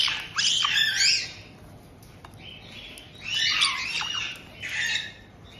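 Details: White-bellied caiques in a home aviary in Tokachi, Hokkaido, welcoming a young bird just over two months old: two loud bursts of raspy screeching, with softer chatter between them.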